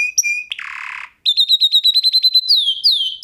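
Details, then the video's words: Canary in a song lesson for canaries: short whistles and a harsh buzzy rasp, a brief pause, then quick pulsed trill notes ending in two loud sweeping downslurred whistles. "kanarya için ötüş dersi (ama bülbül degil)"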